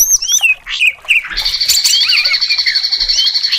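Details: Cucak cungkok greater green leafbird singing varied fill phrases to provoke contest birds: falling whistled slurs open the song, then a continuous buzzy trill carries overlapping warbles to the end.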